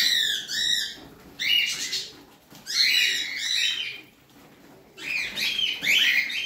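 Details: Pet parrot giving bright, harmonic chirps in short bursts: a quick rising-falling series, then louder upswept squeaky notes after pauses of about a second, high-pitched throughout over a quiet background.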